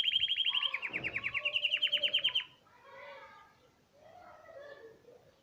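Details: Hipi-type canary delivering a fast, even, high trill of rapidly repeated notes for over two seconds, followed by quieter soft twittering.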